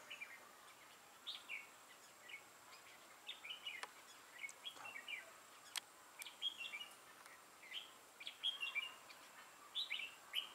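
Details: Decoy red-whiskered bulbul with a dark bib used in trapping, recorded 6 November 2018, repeating short bright chirpy phrases throughout, growing busier toward the end, with occasional sharp clicks in the background.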